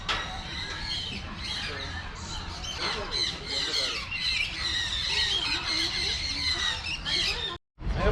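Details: In the macaw and parrot aviary at Trichy Birds Park, Tamil Nadu, India, a crowd of parrots, mostly American species, keeps up harsh, grating squawks that overlap almost without pause, with people talking faintly underneath.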